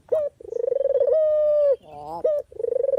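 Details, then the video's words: Dove (puter/deruk) sound for training and luring birds into traps: a sharp note, then a rapid pulsing trill smoothing into a long coo that dips at the end, a grating burst, and the trill starting again. "suara asli burung puter/deruk buat isian,pikat dan pancingan"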